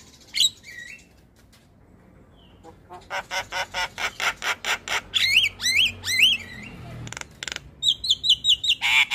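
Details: Morning call of a Javan myna, said to prompt other mynas to answer: after a lone sharp note and a pause, a fast run of harsh repeated notes, then looping whistled upslurs and a quick series of high chirps.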